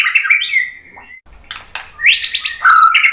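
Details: [7, 'White-rumped shama song intended to provoke other birds to sing: a quick whistled phrase fading downward, a pause with clicks, then a loud burst of buzzy chattering and a clear whistle.']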